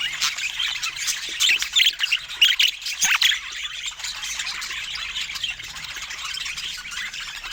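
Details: Budgerigars kept as pets, calling at fruit time: busy high chirping and squawky warbles, loudest in the first three seconds, then a softer, steady chattering background.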